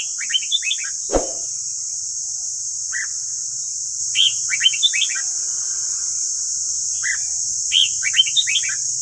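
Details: Red-whiskered bulbul of the white-cheeked kind, a training recording for caged birds: a fast rippling whistled phrase, a sharp click, then short phrases repeating every few seconds, with a steady high hiss and a faint low hum.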